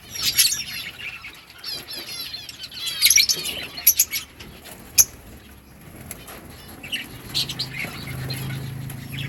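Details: Breeding colony of lovebirds, with many birds chirping together in high scratchy twitters and squeaks, with wing flutters and a steady low hum late on.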